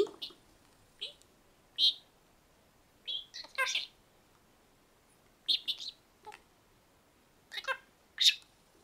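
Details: Indoor pet budgerigar talking and imitating a camera shutter it learned from hearing 'pi kasha kasha' daily; bright scratchy chirps and clipped syllables repeated roughly every second, some doubled, over a faint room hiss.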